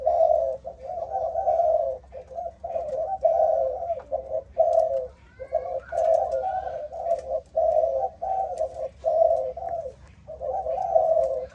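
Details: Spotted dove of a Malaysian line with an "âm thổ" voice style, kept by a breeder: low, throaty coos in repeated phrases, each a cluster of rolling notes separated by brief pauses.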